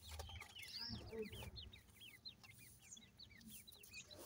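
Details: Black francolin chicks giving a rapid string of thin, high chirps, each a quick rising-then-falling flick, about four a second and fairly irregular, with low rumbling handling noise early on.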